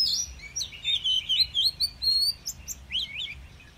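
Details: Wild-voiced Oriental magpie-robin, 'kéo thuốc lào' song style for rousing weak newly caught birds: fluid slurred whistles and warbles, rising and falling in quick succession, with a soft background hum.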